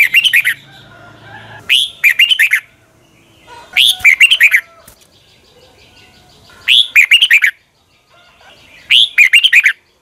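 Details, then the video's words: Red-whiskered bulbul morning song in the long double twisted-voice style, a lure for training birds; five quick whistled phrases, each about half a second of rising and dipping notes, spaced one to two seconds apart. "Luyện chào mào hót sáng 2020, Quá hay Giọng kép xoắn dài hót căng lửa"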